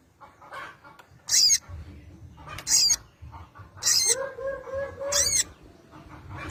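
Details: Crested jay calling out a rival, used as a lure to draw an answer: loud harsh bursts repeated about every 1.3 seconds, with a short run of lower, rising tonal notes between them, over a low background rumble.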